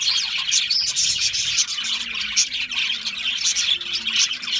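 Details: Parakeet flock giving steady high chirping and twittering, a rapid overlapping chatter of short squeaks with a few clearer whistled tones.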